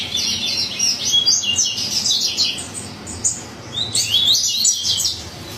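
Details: Yellow-bellied seedeater, a Bahian 'coleiro baiano' singing frantically: two dense bursts of fast, high, sweeping twittered notes, the second starting near four seconds, with low background hum.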